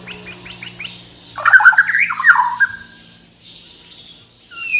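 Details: Bornean white-rumped shama from Kalimantan: soft high chips, then a loud harsh warbling burst with slurred whistles, fading to quiet high thin notes over a low hum.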